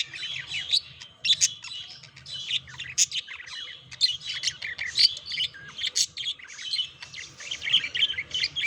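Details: Budgerigars courting and mating, kept as pets: nonstop scratchy chatter mixing rapid chirps, grating buzzes and thin whistled notes, rising and falling in quick bursts over a steady low hum.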